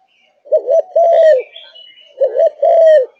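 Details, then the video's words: Malaysian-type spotted dove, a pet bird singing eagerly. Two full phrases, each a quick rising-falling double coo followed by a sustained, gently sliding note, with soft chirps between them. "Cu Gáy Malaysia Căng Lửa, Chơi Từ Sáng Tới Tối"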